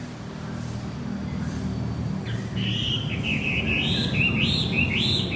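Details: Javan white-eye song as a lure for a male that has gone silent, over steady low rumbling background noise: after two quiet seconds, a bright run of high wavering whistled notes begins and continues.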